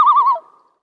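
Common Loon giving a brief flight tremolo: a quick, wavering, laughing quaver on a steady pitch, fading out after under half a second.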